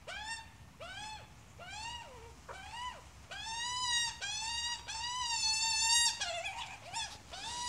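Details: Adult Australian magpie and chick: rhythmic run of rich, harmonic, slurred squawks, growing longer and louder toward the end, with a drawn, wavering note and a rougher cry near the close.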